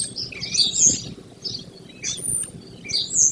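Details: A nesting American kestrel pair's box on a barn overlooking grassland near Prairie du Chien, Wisconsin, early morning of 28 May 2024. Rapid, shrill, rasping high calls come in clustered bursts over faint low background noise.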